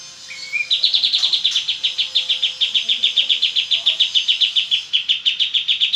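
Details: Oriental white-eye singing in a lively 'ngebren' style: a brief rising whistle, then a long, rapid machine-gun run of sharp high chips at about three or four per second, steady in pitch, with faint background hiss.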